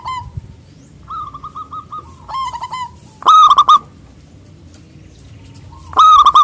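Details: Local zebra dove, big-voiced, singing to call opponents. Softer runs of quick repeated notes lead into two powerful, resonant coo bursts about three seconds apart.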